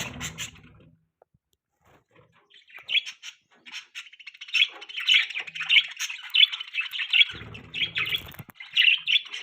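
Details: Pet budgerigars chirping in the morning, described as happy: after a quiet start, a steady stream of high warbling chatter with rapid scratchy chirps, plus a low hum and some fluttering noise.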